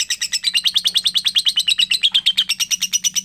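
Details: Young lovebird giving a long chatter: rapid buzzy chips repeated about three times a second, steady and unbroken, high-pitched with a faint low hum beneath.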